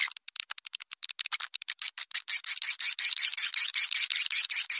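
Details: Swiftlet lure-call mix: dry, high clicks at first, then merging into dense, buzzy, rolling chirps repeated almost three times a second. Nothing else is heard.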